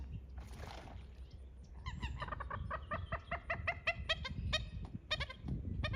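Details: Common moorhen, a wetland bird of ponds and marshes, gives a rapid run of harsh, clucking cackles, several per second and uneven in pace, over a low rumbling background.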